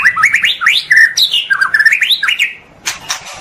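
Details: Pastol-style white-rumped shama song meant as a training master for caged birds: fluid rising and falling whistles strung rapidly together, mostly mid-pitched, ending in a few scratchy high notes.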